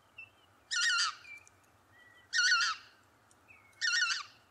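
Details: Lesser white-fronted goose (Anser erythropus) gives three high, squeaky, yelping calls about every second and a half, with faint thin whistles between them.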